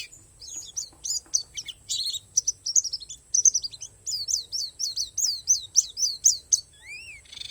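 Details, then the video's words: Oriental white-eye of the Borneo 'palas' type, singing a song filled with wild-bird phrases: rapid, high, thin chirps and slurred downward notes, some bursts dense, with a faint steady high whine throughout. "SUARA PLECI PALAS BORNEO"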